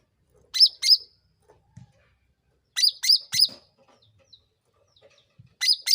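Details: Sooty-headed bulbul calling to draw answers from other bulbuls: bright wavering chirps in a pair, then a group of three, then another pair, separated by quiet gaps with faint clicks.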